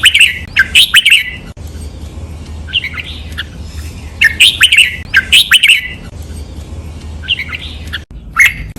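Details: Red-whiskered bulbul training song in the doubled, note-counting 'lak wai' master style, recorded clearly for teaching caged birds: bright, bubbly whistled phrases of quick paired notes, bursts every second or two with short gaps and a low hum beneath.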